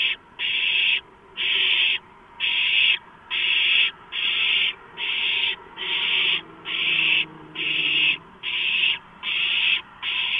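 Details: Owlets clamouring over a delivered large rodent, March 2015: evenly spaced harsh hiss-screeches, about one per second, form a rhythmic, persistent sequence.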